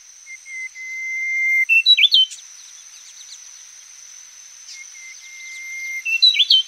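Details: A golden whistler of subspecies P. p. graeffii, recorded close up, sings twice: a long, steady whistle that steps upward into a loud, emphatic ending. A steady high cicada drone and other birds sound behind.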